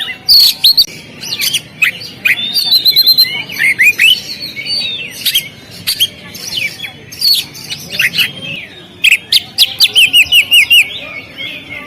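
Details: Oriental magpie-robin singing on the contest stand: a rich, varied run of sharp whistled notes, rising slurs and quick chirps in uneven bursts, with brief gaps and a few clicky ticks between phrases.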